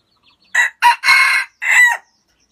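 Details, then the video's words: A Vietnamese red junglefowl gives one strong crow in four syllables: a clipped first note, a quick second, a drawn-out harsh middle phrase, then a downward-sliding ending, all within about one and a half seconds against near silence. "Tiếng gà rừng rặc gáy hay nhất Việt Nam"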